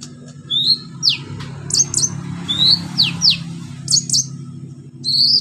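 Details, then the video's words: Orange-headed thrush singing energetically with fill-in phrases, used to prompt thrushes that have stopped singing: scattered high descending sweeps and sharp paired chips spaced through the phrase, a whistle at the end, with a constant low hum beneath. "KONIN GACOR NEMBAK ISIAN PANCINGAN KONIN MACET BUNYI"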